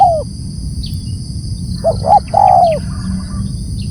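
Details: Spotted dove call: the falling tail of one coo, then a full phrase of two brief hoots and a stretched, slightly descending coo, with a steady high electronic-like whine and low hum behind.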